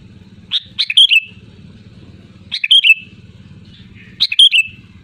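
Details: Sooty-headed bulbul calling loudly to challenge rivals, played as a lure bird. Three quick, liquid chattering phrases, each ending in a slurred downward whistle, arrive about every one and a half seconds against a low rumbling hum.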